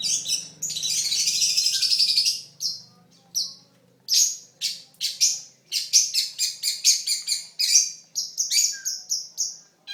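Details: Pentet, or long-tailed shrike, a contest songbird from Indonesia known for imitating other birds. A long, grating burst is followed by rapid bursts of scratchy, high chattering notes, with short pauses and varied rhythm.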